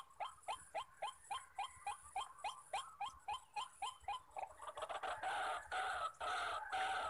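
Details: White-breasted waterhen males calling around a decoy-trapping site: regular harsh croaks about three a second for several seconds, then drowned by loud rustling noise.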